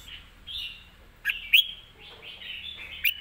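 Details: Caged red-whiskered bulbul, live: softer sustained warbling notes punctuated by a few sharp chip notes near the middle and the end.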